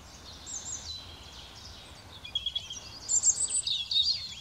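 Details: European robin at Raaderwald around New Year giving thin, high, sweet twittering phrases that quicken and climb in the second half, over a faint rural hush.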